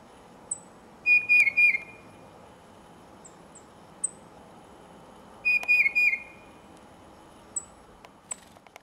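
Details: Tufted titmouse giving its gentle song, heard with a Carolina wren present: two loud whistled phrases of four quick repeated notes, about four seconds apart, with thin high chips from other birds between.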